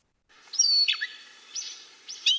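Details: Gray catbird, a mimid of brushy areas and woodland edges, singing a short fragment: a few squeaky, high slurred notes rising and falling, with no phrase repeated.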